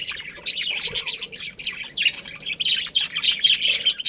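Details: Many budgerigars in a colony chirping together, a thick wash of high squeaks and warbling notes in rapid overlapping bursts.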